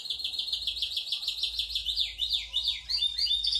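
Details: Caged Yorkshire canary singing a long rolling song: a quick run of repeated downward-slurred notes at an even pitch, then faster, higher tours of sweeping notes toward the end, with no other sounds.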